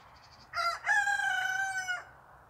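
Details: Barnevelder rooster crowing: a brief clipped opening note, then a sustained, harmonically rich crow held level for about a second and a half before cutting off, with faint high chirps beforehand and a low steady background hiss.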